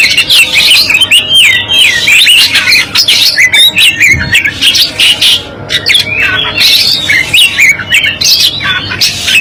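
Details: Black-breasted Oriental magpie-robin from East Java in a masteran recording: a dense, continuous warbling song of wavering whistles, trills and scratchy notes, with a steady low hum behind it.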